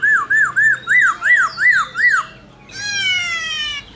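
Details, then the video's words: Laughingthrush in forest-voice song, meant to prompt other birds to sing: seven loud arched whistles repeated in rapid even rhythm, then a long buzzy, harmonically rich descending note. "Khướu Hót giọng rừng NHIỀU GIỌNG HAY"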